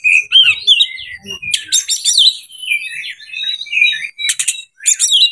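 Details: Song of an Oriental magpie-robin looking for a rival to fight, a reluctant singer pushed into long singing: sliding whistled notes, rich warbles and dense buzzy rattles, with a short gap before final harsh bursts.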